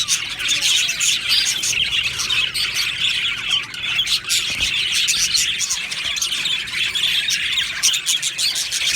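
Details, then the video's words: Budgerigar colony in an aviary, described as happy birds, chattering together: continuous overlapping high-pitched chirping and scratchy warbles from many birds, with occasional louder squawks rising above the steady flock noise. "Budgie Sounds for lonely Budgies | Happy Budgies Birds Sounds"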